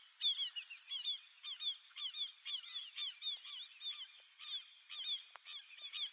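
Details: White-faced Whistling Duck (irerê), wild, calling steadily: sharp, high whistles in short two- and three-note phrases, repeated roughly twice a second with little pause, several birds overlapping.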